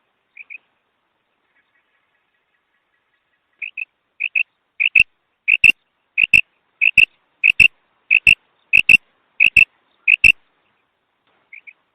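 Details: Hunting lure of a female quail: high, clipped double notes, faint at first, then a steady run of pairs about every 0.6 seconds, each pair with a loud sharp click, fading to one soft pair at the end.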